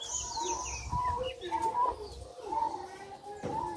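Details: A male zebra dove, overly aroused and paired with a female red leopard-coloured spotted dove for hybrid breeding, gives soft, mellow cooing phrases in short bursts, some rising and falling slightly, as thin chirps of small birds sound behind.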